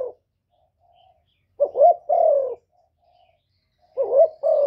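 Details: Cooing spotted dove calling to provoke rivals, delivering two phrases of low, mellow coos, each a rising short note then a longer falling coo, separated by a long quiet gap with faint soft hums.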